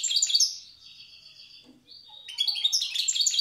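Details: Brief goldfinch song of the old wild Tiaret style: a bright twittering burst, a drawn-out thin whistled note, then another quick run of jangling chirps and trills.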